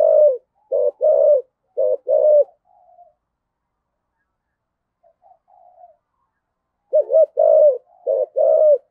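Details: Decoy spotted dove with 'giọng thổ' voice calling: two groups of choppy, hollow low coos, four notes each, separated by about four seconds of near silence with a few very soft murmurs.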